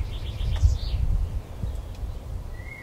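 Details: European robin on a branch while feeding, 26 February 2020: a quick series of high, evenly repeated notes, a short pause, then a single thin rising whistle at the end, with constant low rumble underneath.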